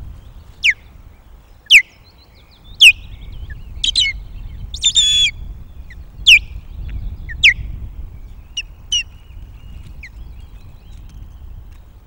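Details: Osprey at a Loch of the Lowes nest on the morning of 12 May 2022, giving alarm guard calls as intruding ospreys appear, defending the nest: sharp, downslurred whistled yelps about once a second, with a brief harsher burst midway.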